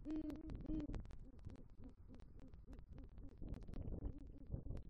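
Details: Two strong low hoots open, followed by quicker, quieter hoots from a male great horned owl at a southwest Florida nest, November night, calling for the female after bringing a rodent.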